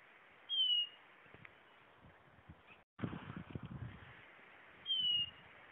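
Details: Blue-naped chlorophonia singing: two clear, thin whistles, each sliding slightly downward and lasting under half a second, about four seconds apart. A brief break in the sound and soft low thumps come between them.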